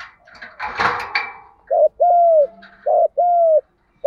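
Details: Spotted dove fighting coo ('gù đấu') for stimulating new decoys, opening with a rustling, clattering noise, then two low double coos, each a short note and a longer steady falling tone.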